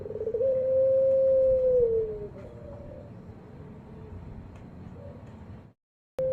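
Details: Single long steady coo of a puter, the ringed turtle dove kept in Java, Indonesia, fading into a low murmur, then silence before a final note begins.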